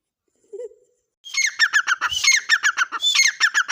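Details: Partridge (teetar) calling: after a short low note, a fast run of harsh, ringing notes with bright whistled overtones, repeated several times a second for over two seconds.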